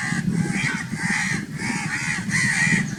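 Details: Crows calling loudly, a run of four or five harsh, drawn-out caws that blur into one another over a steady low background hum.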